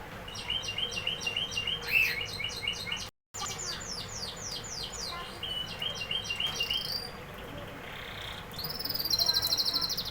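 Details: Canary singing steady repeated trill notes, a short break in the recording, then varied quick sweeps and a final thin, high, buzzy trill.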